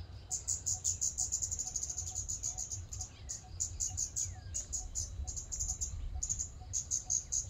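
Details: Scarlet-backed flowerpecker in a city park: long dense runs of sharp, very high ticks broken by short pauses, with faint lower whistles from other birds and steady low background noise.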